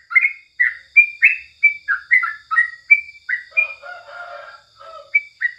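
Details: Sooty-headed bulbul singing in the morning: a quick series of short, bubbly whistled notes that rise and fall, with a few lower, softer warbling notes in the second half and a faint steady hum behind.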